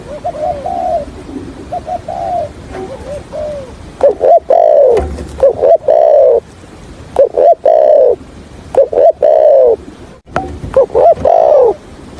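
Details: Spotted dove decoy bird giving 'gọi' calls and stammering 'gù cà lăm' coos in the 'thổ hạp bổi' voice, used for trapping: soft early coos, then loud clusters of throaty hooked notes in bursts against a noisy background.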